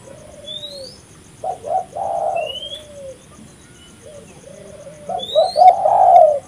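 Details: Spotted dove calling vigorously, a recording used as a lure and decoy to attract doves; low cooing phrases of several rising and falling notes, with thin high whistles from other birds above.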